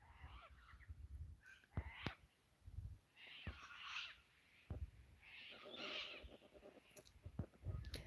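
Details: White cockatoos flying around over a farm homestead give harsh, raspy, noisy screeches in several drawn-out bursts from a distance, over low wind rumble and handling thumps.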